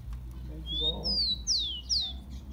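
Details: Rufous-collared sparrow kept in a cage, singing as a warm-up for other birds: a long thin rising whistle, a level one, then two loud whistles sliding steeply downward, over steady low hum.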